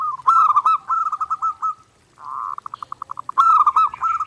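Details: Clear master recording of a zebra dove singing nonstop for daily training: bubbling coo phrases, a pause, then a fast, even series of pulsed notes leading into another rolling phrase.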